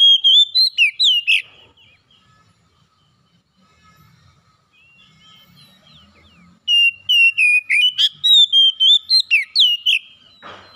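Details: Home-kept Oriental magpie-robin singing gacor, the vigorous nonstop style: loud clear whistled notes, some sliding down and others rising, in a rapid burst, a pause of near silence, then another run of bright repeated whistles.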